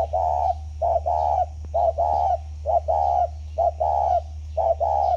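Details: Spotted dove kept in captivity for ten years coos in steady phrases, a short note then a longer rolling coo, repeated about once a second, over a constant low hum.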